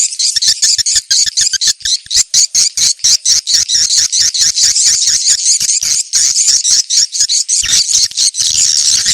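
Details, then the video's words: Swiftlet location-check call, meant to attract swiftlets quickly and make them gather: a fast series of high, dry chirps and clicks, roughly two per second, forming an unbroken twittering stream that softens into a smoother chatter near the end. "Suara ceklok burung walet terbaik"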